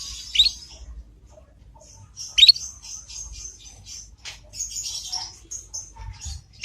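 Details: Juvenile Yorkshire canary practising ngriwik twittering, played as a master lure to make other canaries respond. Two loud, sharp high chirps are followed by a run of quieter, scratchy twittered notes.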